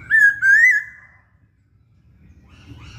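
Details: Singing masked laughingthrush, or Poksay Hongkong: two strong whistled notes, the second rising slightly and wavering, then quiet with faint chatter.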